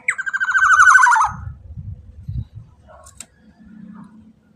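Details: Black-naped oriole lure sound for prompting other orioles to sing: a loud, descending, pulsed nasal rasp at the start, followed by low rumbling and thumping noises and a faint hum.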